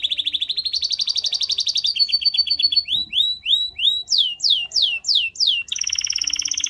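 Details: Varied canary song: a fast trill rising in pitch, a lower buzzy rattle, a run of upward then downward sweeping whistles, and a final rapid high trill.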